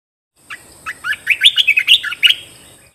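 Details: A bulbul sings for caged-bird training and decoy use, giving a single bubbly run of roughly ten quick whistled notes, swooping up and down, with a faint continuous high whine beneath.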